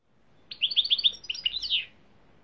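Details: European goldfinch (Carduelis carduelis), song.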